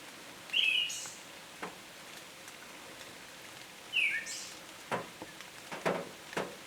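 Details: Singing Siberian thrush, Tohoku region of Japan, July 2020: brief whistled phrases followed by a thin, high trailing note, repeated at intervals of about three seconds over constant hiss and scattered knocks.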